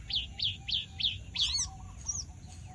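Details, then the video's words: Javan bush lark in lively song, four crisp high downslurred chips evenly spaced, then a harsh buzzy burst with low hollow notes beneath, ending in a thin high slurred whistle. "Pesona burung Branjangan gacor"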